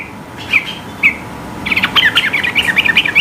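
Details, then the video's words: High-pitched sooty-headed bulbul song intended to challenge rivals into singing; two isolated chirps followed by a rapid, bubbly stream of jumbled twittering notes. "Trucukan gacor tembakan tinggi gertak lawan agar ikut bunyi gacor ropel"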